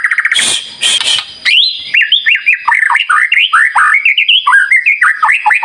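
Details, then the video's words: Prolific White-rumped shama song, played as a lure to make other birds reply: a burst of loud harsh notes, then a long series of bright, upward-swooping whistled phrases repeated rapidly. "Pancingan Murai Batu Gacor, Sangat Ampuh buat Segala Jenis Burung, Pasti Nyaut Seketika"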